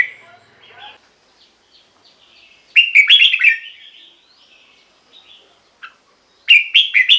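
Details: Red-whiskered bulbul, a song used to rouse caged birds or lure others: two loud bursts of bright, chattering, whistled notes separated by a long quiet spell with faint distant phrases.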